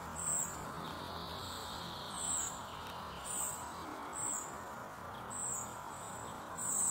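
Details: Begging Spotted flycatcher chick asking its mother for food: a series of seven sharp, high-pitched squeaks spaced roughly a second apart, with faint steady background noise.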